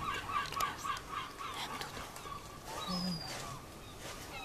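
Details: Herring gull on the rooftops of Clacton-on-Sea, Essex, England, July 2015: a fast series of short, nasal laughing notes repeated about four times a second, then a drawn-out wail, with other gulls and town noise behind.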